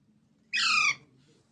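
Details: A baby green Indian parrot, or mitthu, gives a single harsh, slightly falling squawk lasting about half a second in a quiet setting.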